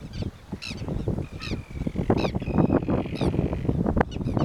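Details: Dolphin gulls calling at the Rio Gallegos estuary, Santa Cruz, Argentina, on 28 October 2021: loud harsh downslurred squawks in spaced bursts, a long thin whistle in the middle, and heavy wind rumble.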